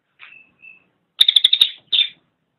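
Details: Cililin song beginning with two soft, thin, level whistles, then a loud quick burst of sharp chattering notes and a final short buzzy note.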